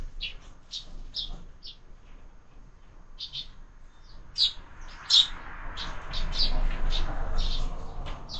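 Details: Sparrows at a window-mounted bird feeder fed year-round. Short high chirps repeat in quick irregular series, several per second at times, growing busier toward the end over a low background rumble.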